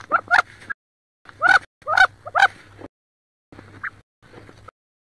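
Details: Inside a wood duck nest box near Richland, Washington, hens squabble while one incubates about 18 eggs: loud harsh, rising squealing calls in quick bursts of two or three, then softer muffled notes and scraping, over a steady low hum.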